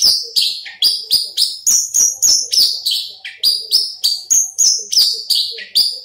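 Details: Horsfield's bush lark kept in a cage, big-bodied with a crest, repeats loud sharp downslurred high notes at a steady fast rhythm, roughly three each second, with occasional lower dips.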